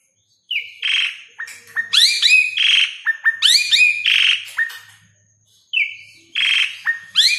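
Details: Gacor song of the Asian pied starling for training caged birds that are lazy to sing, or for luring them: repeated clear whistles and rising slurs mixed with rasping squawks, pausing briefly before starting again.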